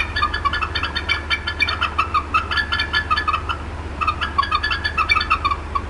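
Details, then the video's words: Upset mother bald eagle at the Decorah North nest on an April 2016 afternoon, disturbed by something nearby: quick, dense strings of clipped, squeaky clucks, pausing briefly mid-clip, over a constant low-pitched drone. "MOM UPSET & CLUCKING A VERT LONG TIME"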